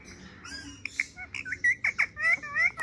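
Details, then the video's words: Parrot toying with a mobile phone makes quick nasal squawks and short bright whistled chirps, close together and rising in loudness toward the end. "Parrot funny talks and playing mobile"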